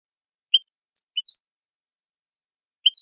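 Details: European goldfinch song, used for training birds: a few short, clear chirps, each pitched up as a quick high pair, spaced irregularly with long silent gaps between and no other sounds.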